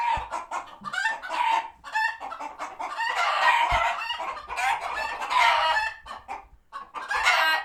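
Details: Farm sanctuary flock of chickens agitated by a passing hawk; nearly continuous overlapping squawks and drawn-out cackles from several birds, with a couple of low thumps.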